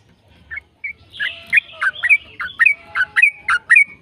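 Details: Long rapid yellow-vented bulbul song, used to get other bulbuls singing. It starts with two isolated chirps, then builds into a lively stream of slurred whistled notes, roughly two per second.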